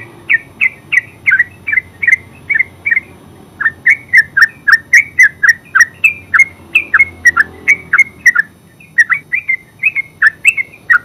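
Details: Yellow-vented bulbul, known locally as terucuk, singing a full 'ngeropel' song: rapid run of short, bubbly whistled notes around mid pitch, about three per second, with a brief pause near the middle, steady low background hum.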